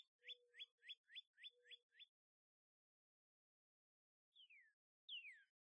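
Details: Northern cardinal pair, male and female, at a feeder: a rapid series of seven sharp rising whistled notes with a low steady hum beneath, a pause, then two long downslurred whistles.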